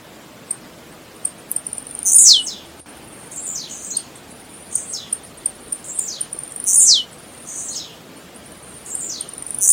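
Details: Blue-black grassquits singing in nature: repeated high, buzzy down-swept phrases, each led by a few clicks. A loud nearby bird alternates with fainter ones, producing about six phrases in ten seconds.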